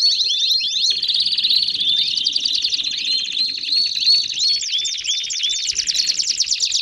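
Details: Canary singing 'baderna' song to warm up other canaries: busy high twittering over a rolling trill, scattered with curved rising whistles, about three notes per second.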